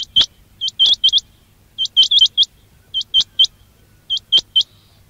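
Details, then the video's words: Quail call meant to attract quails for hunting: bright upslurred chips in clusters of two to four, repeated steadily through the recording, with a faint low drone beneath. "quail batair ki awaz"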